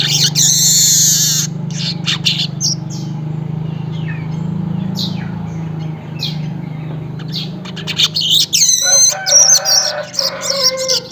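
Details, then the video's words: Early-morning weaver around 5:40 in Indonesia: an opening burst of dense, hissing, buzzy chatter, then sparse thin chips over a steady low hum, ending with a louder mixed harmonic call and chirps. "suara pancingan burung manyar pagi hari"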